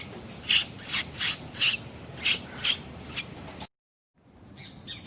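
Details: Hand-reared Sayaca tanager chick repeats harsh, scratchy high calls several times in quick rhythm, then falls silent after a sudden break, followed by a fainter call.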